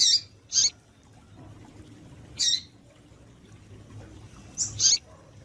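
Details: Female double-collared seedeater calling tui tui to excite males. High, bright chip notes come in pairs and singles, a couple of seconds apart, over a low steady hum.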